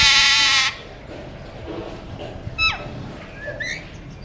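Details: Pet Alexandrine parakeet, a colour mutation, opens with a loud, harsh, drawn-out squawk, followed by a quiet stretch with soft whistled notes and chirps from other birds.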